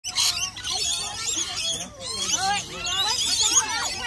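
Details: A noisy group of rainbow lorikeets screeching continuously, with harsh, overlapping shrill calls and rapid chattering notes layered thickly throughout.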